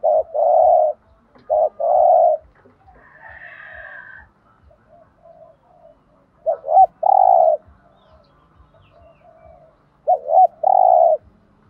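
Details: Spotted dove cooing in a driving style meant to provoke other doves to call; deep hollow coos in paired phrases, each a short note then a longer one, repeated every few seconds, with soft rhythmic clicks and a faint higher chirp.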